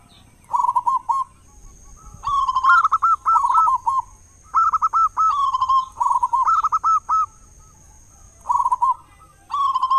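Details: Loud-voiced local zebra dove, a lure for prompting other doves to sing mornings and evenings: six bursts of quick bubbling, rolled coos, some with a higher opening note, spaced by short pauses.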